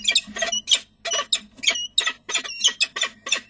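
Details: Peregrine falcon chicks at De Mortel beg with harsh, rasping screeches, about ten bursts in under four seconds in an uneven rhythm, as the father brings prey and they are fed, 6 May 2009 at 11:28.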